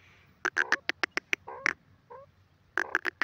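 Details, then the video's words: Grey francolin in the jungle, giving a burst of sharp, harsh, clipped notes in quick succession, a brief quieter pause with softer nasal sounds, then another rapid run of loud strident notes. "jungli teeter ki voice,grey partridge in ajungle awaaz"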